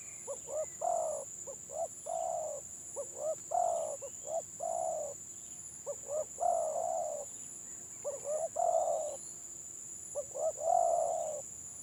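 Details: Two stuttering-style village spotted doves pitted against each other in a Gelang Patah cooing match: rapid broken introductory notes followed by longer, soft, low coos, about five regular phrases, with a steady shrill tone in the background.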